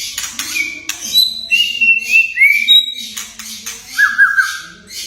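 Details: Murai batu, a white-rumped shama, with whistles and crackle notes said to make young or silent birds answer: drawn-out level and rising whistles, a final trilled note, and scratchy bursts over a background hum.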